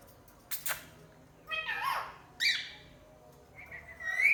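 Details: Parrot chirping loudly: short harsh squawks, then a bending, wavering chirp and a sharp buzzy note, ending in a rising whistled call, spaced unevenly across a few seconds against faint background hiss.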